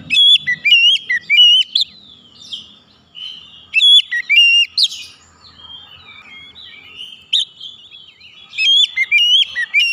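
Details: White-rumped shama song played to stimulate other birds to sing: repeated clusters of loud, ringing whistles with quick rising flicks, about three bursts across the clip, softer warbling between them.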